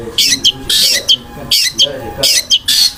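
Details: Long-tailed shrike singing its roll-speed style with rough filler notes: about four harsh, hissing high bursts, each trailed by short squeaky downslurred chips, in quick succession over roughly three seconds.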